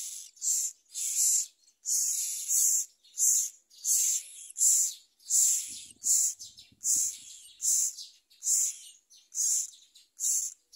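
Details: While a parent myna feeds it a large blue caterpillar, the baby keeps up insistent, noisy, hissing calls, about fourteen short bursts at a steady pace, with a brief low rustle midway.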